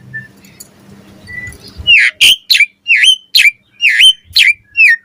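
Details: Asian pied starling singing in the morning, used to lure other starlings into song: after a quiet start, a run of loud, sharp whistled notes, each dipping then rising, repeated about every half second.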